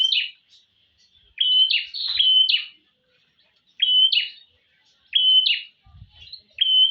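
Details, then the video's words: Prinia, a female calling a male: sharp, high chirp bursts of two or three notes repeated roughly every one and a half seconds, clean and loud against near silence. "Prenjak gacor"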